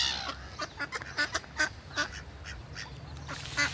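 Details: Many ducks swimming together on the water with great white pelicans, calling together: a loose series of short nasal quacks, several a second, that fade mid-clip and then return in a burst, over a steady hiss.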